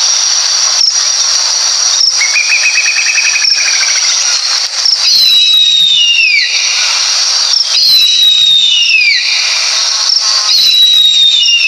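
Harpy eagle giving thin, high wailing whistles that slide downward, several spaced a few seconds apart, over a steady loud insect-like hiss.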